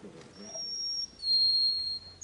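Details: Canary song used for tutoring young birds, given as a flawless model: a long, steady, high whistled note, then a slightly lower sustained whistle after a short gap, ending with a brief higher note. Faint low background hum.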